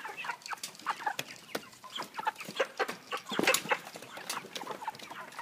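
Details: Many caged broiler chickens of 3 kg, fed from a pan feeder, cluck continuously in short overlapping bursts while frequent sharp taps and clatter sound from the equipment.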